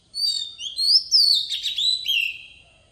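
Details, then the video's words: Decoy Oriental magpie-robin giving forest-style song for training young birds: a three-second run of bright whistles that sweep up and down, with buzzy fluttering notes in the middle and a long falling whistle at the end. "Chòe than mồi hót giọng rừng cực hay"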